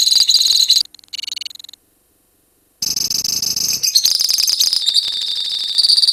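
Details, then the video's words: Lovebird colony sounding its long ngekek song. Shrill rapid trills and short stuttering bursts give way to a second of silence, then a loud, dense, rattling trill continues to the end. "KICAU LOVEBIRD KOLONI INI TERBUKTI HANYA BUTUH WAKTU 4 MENIT SAJA LANGSUNG NGEKEK"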